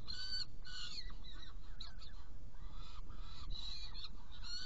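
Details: Hungary, 16 June 2018, Saker falcon prey delivery and feeding of two young: long wailing, rasping screams, a few dipping in pitch, separated by brief pauses, with a low rumble underneath.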